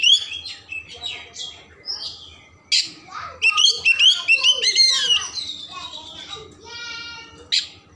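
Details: Oriental magpie-robin song to stimulate emotion and tail opening: quick twittering whistles, a harsh burst, then a fast run of clear looping notes and a nasal buzzy ending.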